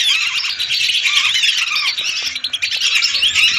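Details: Hundreds of lesser whistling ducks in a lure recording. Thin, rising whistles and squeaky chatter overlap densely throughout the short stretch.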